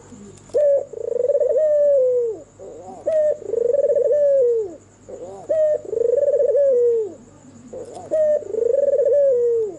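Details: White red-eyed albino turtle dove singing at night, a soft melodious coo used as a lure for other lazy doves; low cooing phrases repeated about every two and a half seconds, each a short rising note then a long wavering coo, with a faint steady hum behind.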